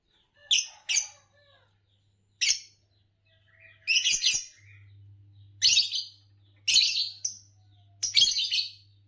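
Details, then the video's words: Lovebirds give shrill, scratchy chirps in short bursts, about seven in nine seconds at an uneven pace, over a faint steady low hum. "Lovebirds Chirping"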